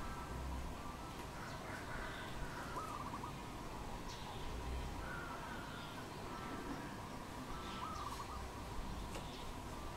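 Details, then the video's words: Wild dove in Cambodia, recorded 1 May 2020: short wavering, trilled cooing phrases repeated every few seconds over a steady broad hiss, with faint higher chirps from other birds. "សត្វលលក | Dove, นกเขา, Bồ câu"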